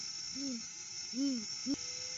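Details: Male great horned owl visiting its nest tree alone at sunrise, 6:17 AM on August 12, 2022, in the off-season, captured by a live cam: three low, soft hoots, each a short rising-then-falling note, over a steady high hiss.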